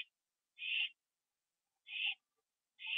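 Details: Owl at its nest after a mate delivered a bird as prey, nighttime in October 2011; three brief harsh rasping calls spaced over a second apart, with near silence between them.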